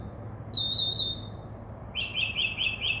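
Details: Northern mockingbird in a tree outside a window, singing and imitating other sounds: a high, rapidly warbled phrase held for about a second, a pause, then a series of sharp chirped notes repeated about five times a second. Low hum underneath.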